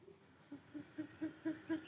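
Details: Short-eared Owl, a species sometimes found in Wisconsin, giving a quick run of six low, hoarse hoots about four per second, swelling louder toward the end, with a monkey-like chatter to it.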